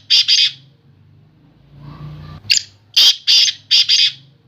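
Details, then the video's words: Black francolin, called Sindhi kala teetar, giving loud harsh grating call notes in two bursts, each a run of rapid raspy phrases; a low hum sits beneath the gaps. "Sindhi Kala Teetar"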